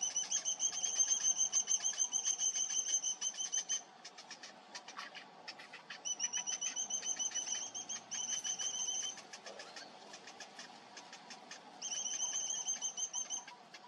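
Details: A Cinnamon Bittern chick being fed by its parent begs in three bursts of rapid, thin, high-pitched ticking whistles, several per second, with quieter gaps between.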